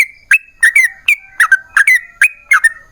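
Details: Yellow-vented bulbul singing a long rapid song meant to draw replies from other bulbuls. Bubbly whistled notes come in twos and threes, some sliding downward, with brief gaps between bursts and a quiet background.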